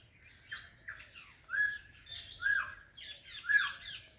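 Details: Greeting an Alexandrine parrot, a talking ringneck parrot utters quick, hoarse, rising-then-falling squawked syllables, several short phrases about once a second, growing louder and fuller toward the end.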